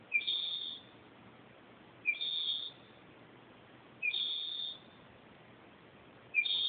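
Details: Northern mockingbird singing at night, 2:30 am, recorded on an Android phone: a short high buzzy phrase led by a lower chip, repeated four times at roughly two-second intervals over a quiet background.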